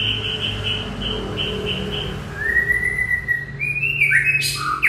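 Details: White-rumped shama singing. A row of short, even, high whistled notes comes first. Then longer sliding whistles climb to a sharp, bright ending, with a low hum underneath.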